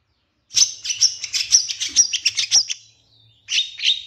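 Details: Long-tailed shrike master song meant to provoke other birds, with quick shot-like fill notes: a fast run of sharp, high chirps about five per second, a brief pause, then two more bright chirps.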